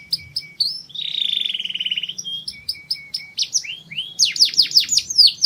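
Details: A canary sings for mating, moving from scattered chips into a steady rolling trill, then sharp rising notes and loud plunging whistles.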